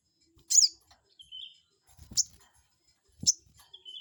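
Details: Crested jay call intended to provoke a rival: a loud high slurred note, a short lower whistle, then two more sharp high notes over soft low thuds.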